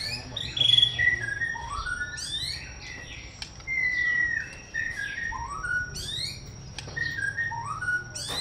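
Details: White-rumped shama song of pure whistled notes, mostly descending slides and short upward sweeps, delivered in loose phrases with scattered sharp clicks, over a low hum and faint steady high tone.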